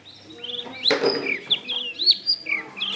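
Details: Long-tailed shrike singing as a lure, a string of slurred whistled notes rising and falling, several swooping downward, with a brief noisy rustle near the start.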